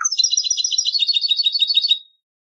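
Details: Competition song of a European goldfinch: one sustained, fast, evenly pulsed twittering trill of bright, high notes lasting about two seconds before stopping abruptly. Clean background.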